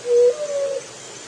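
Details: Juriti dove giving one soft, low, hollow coo that lasts under a second, steady in pitch with a slight step upward midway, against quiet background hiss.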